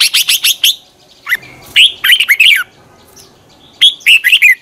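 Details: Red-whiskered bulbul giving a fighting morning song, twisted-voice style, to stir other bulbuls to sing: a fast string of sharp repeated chips, then loud, rolling warbled phrases swooping up and down.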